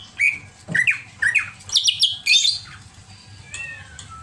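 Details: Greater green leafbird showing over-emotional, agitated singing: a series of sharp whistled notes that climb into higher, buzzy chirps and squawks, about two per second, ending in a faint thin whistle.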